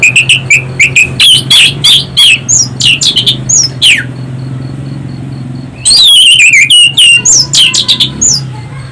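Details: Loud, shrill Orange-headed thrush song played as a lure to make other birds sing: rapid varied whistled and chirping notes, some rising or slurred, in a dense run, a brief pause, then another fast warbling burst over a low hum.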